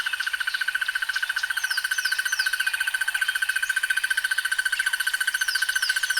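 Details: Rapid, unbroken, very regular pulsed trill of a Crested barbet lasting the whole stretch, with occasional down-slurred whistles from other birds in the background.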